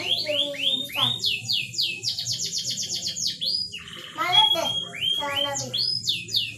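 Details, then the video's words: Lure recording of canary song meant to make a reluctant canary ready to mate: repeated series of quick descending swept notes in rhythmic tours, shifting between syllable types, with faint lower rattles underneath. "Pancingan kenari susah birahi"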